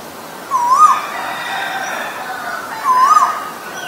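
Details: Asian koel, with male and female birds named, giving two clear rising whistled calls about two and a half seconds apart, each a swelling upslurred note over a faint hiss of background noise.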